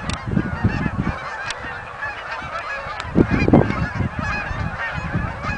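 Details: Flock of Canada geese coming in at a marsh, Oak Hammock Marsh and Fort Whyte; many nasal honks overlap steadily, with a few louder bursts near the middle and a low wind-like rumble throughout.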